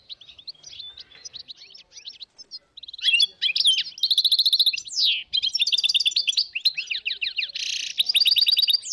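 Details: Dozens of wild goldfinches in northern Morocco, recorded 2022: soft scattered chirps give way to loud overlapping twitters, buzzy rattles and quick trills from several birds.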